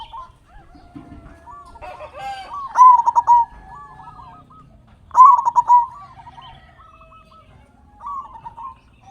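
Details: Zebra dove of local stock with a strong voice, used as a lure so captive birds start singing: two loud bursts of fast, trilled cooing, separated by gentler, wavering coo phrases.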